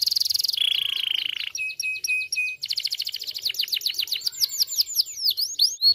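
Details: Canary in full, insistent song meant to set silent canaries singing: a buzzy high trill, a steady lower whistled trill, a run of clipped pure notes, then rapid cascades of falling notes.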